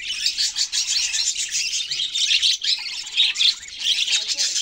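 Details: Steady, busy high-pitched budgerigar chatter, a tangle of rapid chirps, squeaks and warbles running without pause from start to end.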